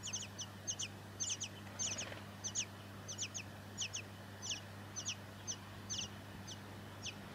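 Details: Tawny-crowned honeyeater, known in Aboriginal languages as boolet or wyrodjodong, recorded in Victoria, Australia, September 2017; sharp, high, quickly falling chip notes, often paired, repeated irregularly about twice a second over a steady low hum.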